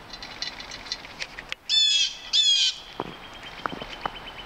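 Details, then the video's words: Red-tailed hawk near Halcyon Pond on Saturday, March 21, 2015: two short, harsh, raspy calls that slide downward, each about half a second long, in close succession amid faint high twittering and soft clicks. "RED TAILED HAWK NEAR HALCYON POND"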